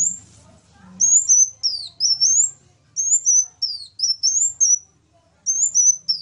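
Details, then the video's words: Sunbirds, a bird the Indonesian bird-keeping scene calls kolibri ninja set against one called kolibri wulung, singing vigorously: very high, thin, sweeping whistled notes in quick bursts, separated by short pauses and repeated several times, with faint low rumble beneath. "KOLIBRI NINJA VS KOLIBRI WULUNG SUPER GACOR"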